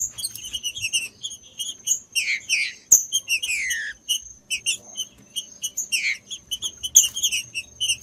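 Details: Green-winged saltator song used to warm up and stimulate caged birds for breeders' tournaments: loud downslurred whistled phrases near the middle, surrounded by dense rapid chirps and a steady thin high tone throughout.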